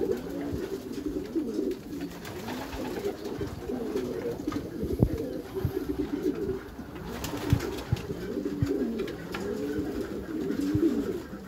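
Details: Meulemans racing pigeons in a backyard loft keep up a steady stream of low, warbling coos, many birds overlapping into a rolling murmur, punctuated by occasional knocks and clatters.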